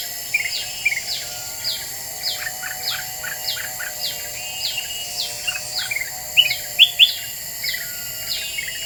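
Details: Lure recording of a very vocal Black-winged bulbul meant to agitate other birds: a long run of quick whistled chips and downslurred notes, irregularly spaced, with a few louder sharp notes near the end over constant high hiss.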